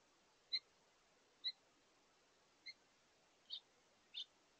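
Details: House finch pair at a bird feeder, calling back and forth while feeding before leaving together: five high chirps about a second apart, the last two slightly longer and burrier.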